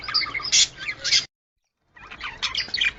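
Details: Budgerigar chatter used to stir birds into breeding condition: rapid, scratchy warbling and squeaks that break off into a short silence and then resume in the same chattering style.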